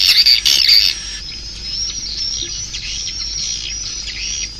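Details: Swiftlets calling: dense high chirps and twittering with squeaky notes packed close together, loudest in the first second, then a softer continuous chatter of many birds.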